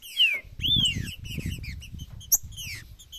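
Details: Green-winged saltator song in the macheado style: loud, clear whistled notes slurring down and arching, spaced by short pauses, with thin high chips near the end and a low rumbling background throughout.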